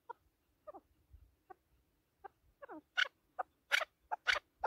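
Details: Chukar partridge, described as a hunting partridge in an excited, singing state: soft, sparse clucks that quicken and swell into loud, harsh chuk notes repeated about twice a second, in quiet surroundings.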